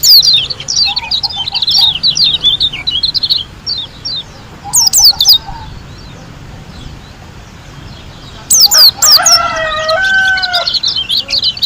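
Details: White-eye from Lombok singing in vigorous bursts: high rapid chirps and whistles with a soft low trill, then a pause. A louder, lower, harsher call with steady tones follows.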